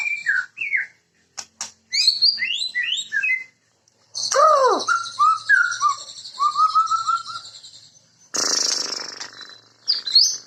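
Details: White-rumped shama (murai) singing varied phrases: rich swooping whistles, a deep downward-sweeping note, a series of short level whistles over a buzzy trill, and a final burst of harsh chatter.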